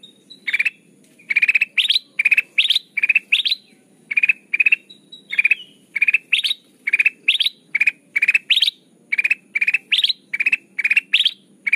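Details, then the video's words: Golden bulbul (kutilang emas) in lively, chatty, crystal-voiced song used as a trapping lure. A long, fast series of clustered chirps, roughly two bursts a second, mixing mid and higher upslurred notes over a faint hum. "suara burung kutilang emas pikat terbaru 2023 || Suara pikat kutilang emas gacor"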